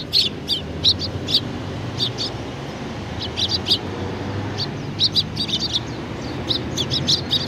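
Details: Eurasian tree sparrows gathering at food at a Tenmangu shrine, Japan, on 19 April 2019; a flock gives short, sharp, high chirps in quick bursts of two or three, scattered through the clip over a steady low background hum.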